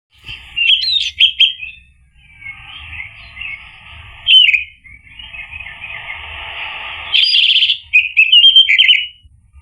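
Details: Orange-headed thrush (anis merah) song played as a lure to get a male to answer and sing in the gacor, ngeplong style: long stretches of high, scratchy, buzzy warbling broken by sharper whistled notes, with a loud rising flourish near the end.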